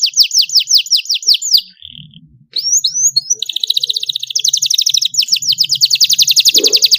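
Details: Young canary learning song from a model recording: series of steep down-slurred whistles, a short pause, rising chirps, then a long rapid rolling trill held for several seconds.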